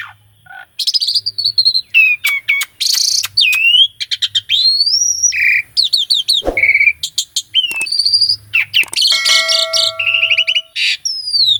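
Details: Varied master song of an Asian pied starling, full of rolling and pumping fills for training a starling that has stopped singing: a dense, nonstop run of sharp chirps, rising and falling whistles, clicks and a steady pure tone with overtones.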